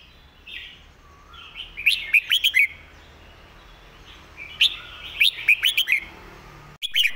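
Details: Red-whiskered bulbul master song intended for teaching: two phrases of rapid, ringing, rising whistles, the second longer with about six notes, joined by soft warbling and ending in a brief abrupt note.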